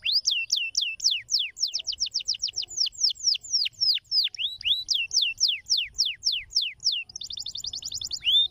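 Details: Canary singing in a special crystal-clear style used to stimulate other canaries: long run of high whistled notes sweeping downward, some hooked upward, ending in a fast buzzy trill and one rising whistle.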